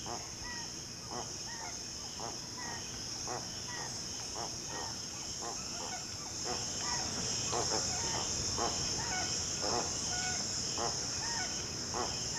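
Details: Spix's guan of the Amazon region, seen at lakes and rivers, singing slowly in grunts: repeated rough, pulsed notes about twice a second with occasional short whistles, over a loud, steady high insect drone.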